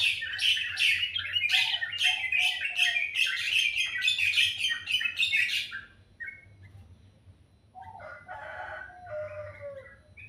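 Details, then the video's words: Birds singing in the morning: a fast series of bright chirped notes repeated several times a second for about six seconds, then quieter, lower warbled phrases after a pause. "Suara burung dipagi hari sangat merdu"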